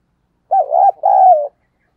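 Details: Spotted dove kept as a decoy, delivering one clear coo phrase: a quick undulating opening note followed after a short gap by a longer, gently falling note, in silence.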